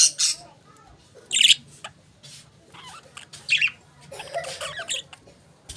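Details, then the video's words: Budgies giving chirps: loud sharp harsh notes in separate bursts about a second apart, followed by softer warbled chatter, over a quiet low hum. "Budgies Beautiful Chirping Sounds"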